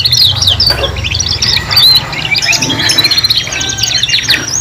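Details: Young canaries singing three together for juveniles learning to sing: a short spell of busy overlapping warbles, buzzy trills and thin sweeping whistles, with a low hum running underneath.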